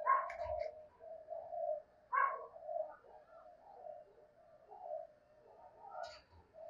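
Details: Morning calling of a decoy spotted dove, thúc and chiêu styles: a steady run of soft, low, throaty coos broken by sharper chirps and brief knocks nearby.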